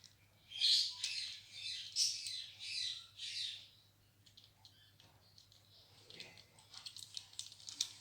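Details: Happy ringneck talking parrot playing with toys: a run of five rough, high squawks about once a second, followed by quieter chatter and ticking clicks.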